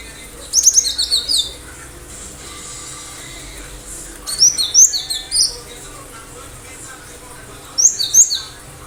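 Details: Cinereous tit in full, lively song: three bursts of rapid, high, sharp notes, each burst about a second long and spaced roughly three to four seconds apart, over a quiet, steady hiss.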